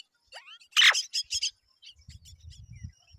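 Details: Myna parents feeding their babies; a rising whistle, then a loud harsh squawk followed by several buzzy high chirps, with faint thin calls and low rumbling noise afterward.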